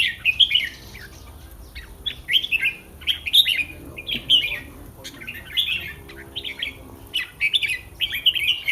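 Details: Red-whiskered bulbul in a cage singing a pre-competition session: a steady run of short warbled phrases, each a fast slurred tumble of clear notes, repeated about every half-second to second with hardly a pause.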